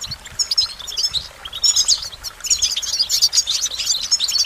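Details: High, tinkling goldfinch twitter, hesitant at first and then swelling into a steady, dense stream of bright trilled notes and sliding chirps.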